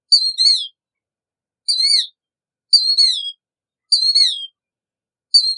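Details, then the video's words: Killdeer calling: loud, clean, high descending notes, each a sharp slurred cry with rich overtones, repeated roughly every 1.2 seconds against a silent background. "Killdeer Song! Killdeer Call! Killdeer Voice! - Chorlo Gritón Canto!"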